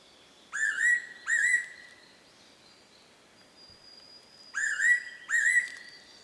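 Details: Fairy pitta singing in May 2019 at Oike springs, Yufu, Oita, Japan: clear two-note whistled phrases, each note rising slightly and held, the pair given twice with a pause, over a quiet forest background with a faint high thin tone.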